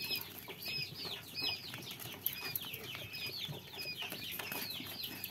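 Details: Group of quail chicks chirping nonstop, their high, curved peeps crowding over each other in an irregular stream, with occasional soft clicks and rustles.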